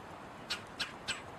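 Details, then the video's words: Red-bellied woodpecker calling while eating seeds: three short, harsh, squawky notes about a third of a second apart over a steady hiss of background noise. "Red-bellied woodpecker call loud sound, and eating seeds"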